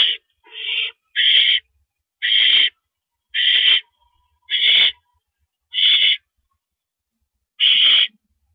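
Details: Nocturnal owl nest scene on 6 April 2012 as the male arrives with a rabbit: a run of eight rasping, hiss-like screeches, each under half a second, at slightly uneven intervals near one per second.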